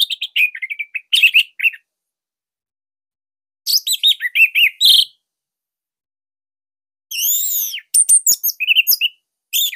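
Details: Bali orange-headed thrush singing loud, tightly packed phrases that serve as master material to prompt quiet or young birds to sing. Three separate bursts of rapid chirps, slurred whistles and buzzy notes, with silent pauses between them.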